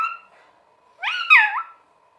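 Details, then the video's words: Pet green talking parrot giving a short flat harmonic note, then after a pause a louder warbling, bending phrase that rises and drops, sounding voice-like; quiet room hum in the background. "Parrot Sound Talking Parrot Bolne wala totha calling Mithu"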